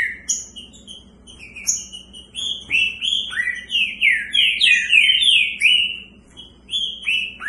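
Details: Green-winged saltators kept in cages, two birds set against each other: quieter whistles build into a dense, fast series of rich slurred notes, each swooping down then up, with sharp high accents over them.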